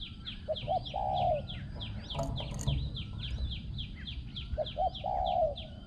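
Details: Spotted dove used for decoy luring gives a coo at the start and another at the end: quick short notes, then a sustained, slightly falling coo. An unbroken run of fast, high, downslurred chirps from another bird fills the background.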